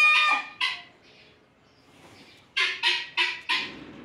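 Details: Guineafowl giving a few short harsh squawks, a quiet pause, then four evenly spaced grating notes about a third of a second apart.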